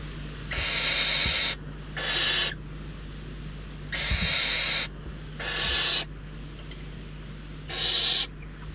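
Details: Hungry barn owl chicks at a nest in Riet Vell Nature Reserve, Ebro Delta, Spain, squabbling over prey brought by an adult: harsh, broadband rasping hisses, each about half a second to a second long, repeated irregularly with short silences between.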